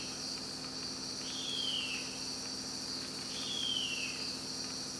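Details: In the Amazon's Carajás National Forest, a female harpy eagle calls for her mate near the nest: two drawn-out, thin whistles, each falling in pitch, about two seconds apart, set against constant high buzzing insects.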